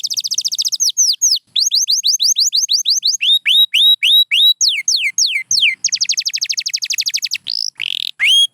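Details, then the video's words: White canary song changes tour after tour: pulsing buzzy trills, rapid falling sweeps, rising whistled notes, then a fast rattle and a few final slurred whistles. It is loud and continuous with no background. "Beautiful Chirping by a Pure White Canary"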